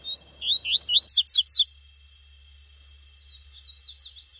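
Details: Female Double-collared seedeater heard in the scrub: a fast run of about seven rising, looping high notes at the start, then quieter distant twitters.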